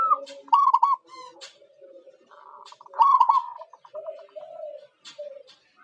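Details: Zebra dove kept as a lure bird for catching wild perkutut, uttering short clipped cooing phrases in two main bursts, with lower murmuring coos in between.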